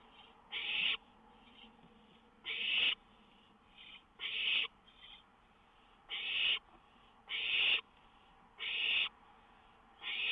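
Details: Owl keeping watch from a lookout at 1:06 a.m., May 19, 2013, songbird nearby; around eight rough, airy hisses, some paired with softer shorter ones, coming every second or so.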